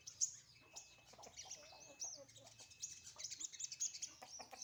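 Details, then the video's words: Sunbird out in the morning sun, singing a continuous busy stream of very high, thin twittering and chattering notes with quick sharp accents, over a faint steady background tone. "jemur pagi burung sogon"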